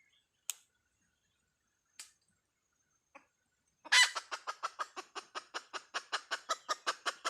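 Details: "Dib tsauj" call of a hen chicken: after a few isolated faint clicks, a loud rough note launches a brisk series of short clucks repeated several times per second until the end.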